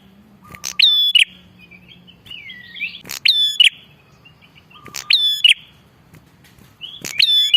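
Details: Bar-winged prinia calling energetically, a recording used for luring wild prinias and tutoring caged ones. Four loud click-and-whistle phrases are spaced irregularly, with soft twittering, warbled notes and a faint low hum between.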